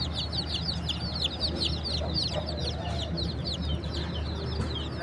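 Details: Chicks, baby chickens, peeping together: a steady stream of high, short, downslurred cheeps overlapping from several birds, continuous throughout, with a constant low droning hum underneath.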